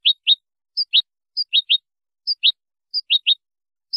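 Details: Goldfinch tutor song, Spanish style, for teaching young birds, made of spaced pairs of short bright chirps, each pair led by a higher thin note, repeating about every half second in silence.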